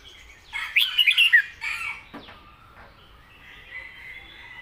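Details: Red-whiskered bulbul kept in a cage, singing southern-style: a hurried cluster of liquid, warbling whistles near the start, then scraping noises and faint hiss.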